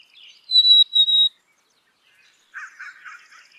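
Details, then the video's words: Black-capped chickadee sings a two-note whistle, steady and high, followed after a silent gap by a run of rougher, buzzy, lower notes repeated in quick succession. "Black capped Chickadee Song ! Black capped Chickadee Sound ! Black capped Chickadee Call"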